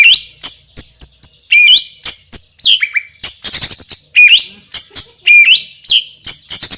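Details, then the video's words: White-rumped shama song, loud and strong: rapid high clicks and chips interspersed with upward-swooping whistled notes, continuous throughout. "MURAI BATU juara isian super PEDAS_suara lantang dan keras"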